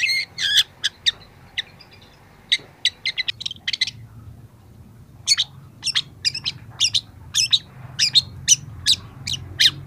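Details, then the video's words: Young long-tailed shrike starting to bring out mimicked phrases, as a training recording: scattered high clicks and brief tinkling notes, a short pause, then a denser run of sharp ticks and chips over low background rumble. "masteran cendet muda"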